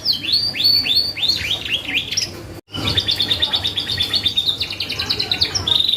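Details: Gacor canary singing as a lure for other birds: a series of repeated down-slurred whistles, a brief cut to silence, then a long fast even trill that rises slightly toward the end.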